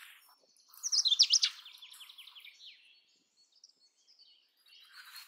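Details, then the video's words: Song of the Indian robin: a bright burst of rapid high whistles sliding into a descending series of fast chirped notes lasting about two seconds, then quieter distant bird sounds. "Indian Robin Sound ! Indian Robin Singing Song ! Indian Robin Call ! Indian Robin Bird"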